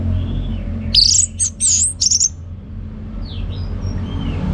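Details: Ngeplong-style song of a captive orange-headed thrush from Bali: a few very high, bright whistled phrases with quick loops, followed by faint thin whistles over low background hum.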